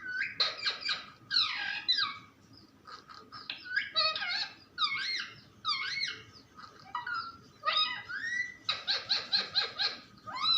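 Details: Parrot chattering nonstop, rapid clusters of sharp, harmonic syllables, some bending up and down, others clipped and stacked, in irregular bursts across the whole stretch.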